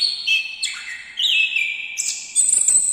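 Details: Orange-headed thrush song with sustained whistled notes sliding down then stepping up to a very high held whistle, followed by quick chattering notes.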